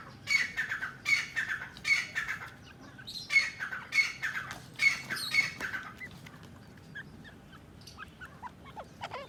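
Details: Harsh, strident grey francolin calls repeated rhythmically, roughly one burst every second for about six seconds, then trailing off into quieter scattered chirps against a soft outdoor background.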